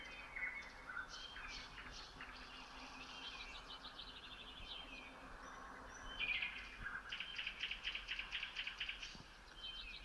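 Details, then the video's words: Common nightingale singing at 3 a.m. on 27 May 2018 near Red Hill, Moscow region, Russia, among other birds: rapid, rhythmic trills and repeated clicking pulses broken by short whistled notes, over steady rural night background noise. "Соловьи и другие птички I Nightingales and other birds"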